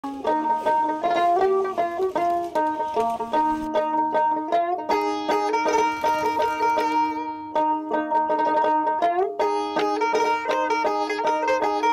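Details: Bright plucked banjo-style string music plays throughout, with no animal sounds.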